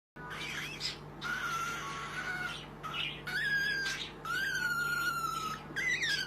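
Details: Baby cockatiel calling indoors: long raspy, harmonic squawks lasting one to two seconds, some level and some dipping then rising, separated by brief pauses, over a steady low electrical hum.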